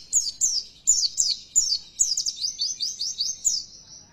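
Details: Oriental white-eye lure song to provoke kept birds into persistent, loud singing: crisp, high, down-slurred chirps repeated every third of a second, speeding into a quick twittering trill toward the end.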